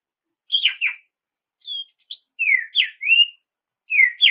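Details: Kacer, the Oriental magpie-robin, whistling a provoking song for rivals: a rough double note, then a thin high whistle, followed by three slurred whistles and a closing pair of notes, with quiet gaps between.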